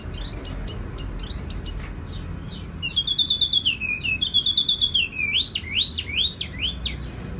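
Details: Tiểu mi songbird singing a soft, ringing song: a quick run of high chirps, then a long sweet whistled phrase of rising and falling notes, ending in repeated upslurred whistles, with light background hiss.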